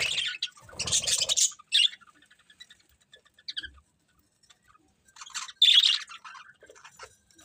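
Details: Budgies give short bursts of high chirping and scratchy squeaks separated by near silence, with a soft low thump near the start.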